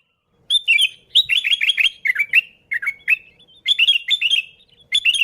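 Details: Sooty-headed bulbul (kutilang) singing in lively gacor style, an original recording without other birds' phrases mixed in, used as a lure: bubbly, liquid whistled notes in quick dipping phrases, several rapid bursts separated by short pauses.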